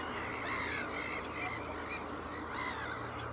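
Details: At Ottersaat on Texel, Netherlands, a black-headed gull walks off with its chicks trailing; loud rasping squawks follow one another in quick, uneven succession, overlapping other gulls over steady background hiss.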